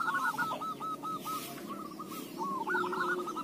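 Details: Lure recording of zebra dove song meant to set other doves singing: an almost unbroken run of rapid, rolling, trilled coo notes, briefly dipping softer midway before surging again, over a constant low hum.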